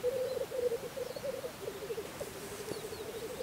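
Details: Black grouse lekking in spring in Russia: only the low, bubbling, gurgling rookoo song, rolling on in uneven phrases with no hisses.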